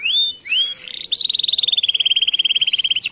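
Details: Canary with rising whistled notes followed by a long, rapid, steady rattling trill of about ten notes per second.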